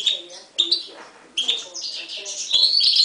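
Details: 2011 mule from a Himalayan goldfinch and timbrado canary: a few clipped chirps, then a rising, continuous twittering warble that grows louder toward the end.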